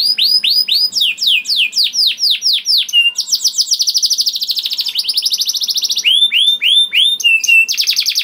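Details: Canary song used to coax other canaries into song: quick downward-slurred whistles, then a long fast buzzy trill, followed by more descending sweeps and a renewed trill.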